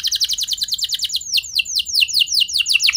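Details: Canary singing to lure other canaries into song: a quick run of sharp high notes that slows into louder, spaced downward-sweeping whistles.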